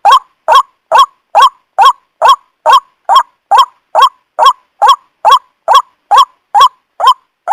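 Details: White-breasted waterhen call played to attract and trap the bird: a long, relentless run of about seventeen coarse, nasal croaks, evenly spaced a little under half a second apart, loud and clean with no background noise.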